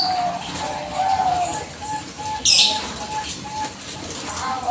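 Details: Bangkok-type zebra dove, singing vigorously as a lure to draw replies from other doves; a row of short, soft, evenly pitched coo notes repeats steadily, with a sharp high chirp from another bird midway and a faint background hiss.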